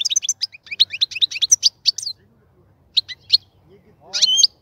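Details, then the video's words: A caged European goldfinch, kept for breeding, gives a run of quick, sharp high chirps and twitters, pauses, adds a few isolated notes, then ends on a short harsh buzzy phrase. "الغناء الجميل جدا لحسون الحسون"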